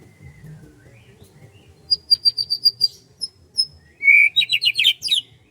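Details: Bird song on a morning in rice fields: a run of short high chirps repeated quickly, then a loud burst of sweeping, jumbled whistled notes, with faint low rumble behind.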